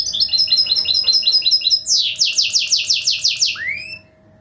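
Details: Goldfinch hybrid (mule) singing indoors: a fast run of repeated high twittering notes, then a series of loud descending buzzy sweeps and a final rising whistle, with a faint steady electrical hum beneath.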